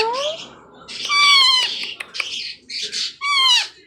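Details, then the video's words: A baby Indian ringneck parakeet about 4 months old, fed and said to be neither hungry nor in pain but wanting attention, cries in a quiet room with a run of harsh, nasal, downward-sliding squawks, about five in four seconds. "baby Indian Ringneck making crying sounds"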